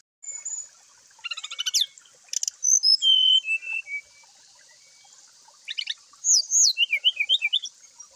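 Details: A brown-chested jungle flycatcher singing freely in the morning gives bright, varied phrases of clear whistles, rapid trills and looping notes in two bursts, over a steady high hiss.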